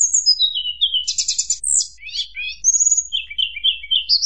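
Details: Hill blue flycatcher in fluting song meant to provoke rival birds: a rapid run of high, descending whistles, a trilled burst, then sweeping and buzzy notes ending in repeated mid-pitched warbled phrases.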